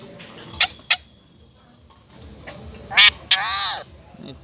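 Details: A talking parrot says its own name: a few sharp clicks early on, then two short, harsh, nasal voiced syllables near the end, the last one slightly arched in pitch.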